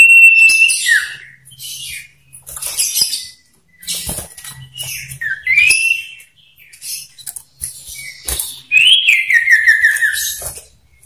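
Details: Dueling male common ioras, a lure recording: scratchy high chatter and clicks, a rising whistle near the middle, then a long slurred whistle descending in wavering steps near the end.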